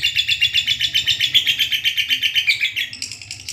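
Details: Lovebird giving a long 'ngekek' chattering song, recorded as a tutor track to prompt reluctant birds to sing: a fast, high, buzzy trill of sharp notes, about six per second, holding steady then breaking into higher scratchy chips near the end.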